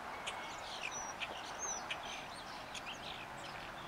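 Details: A common starling perched on a power line sings a rambling song: quick clicks, short chatter and thin high whistles, some sliding up or down, over a steady background hiss.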